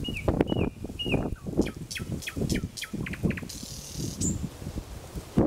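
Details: Nightingale in Kuzminsky forest park with a short run of repeated falling notes and a few whistles, partly buried under heavy low rumble and background noise.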